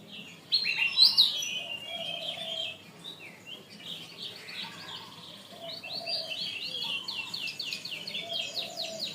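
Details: Canary song from a long training recording for teaching birds: rapid varied phrases of high whistles and chirps, ending in a fast run of repeated buzzy trilled notes, with faint lower notes beneath.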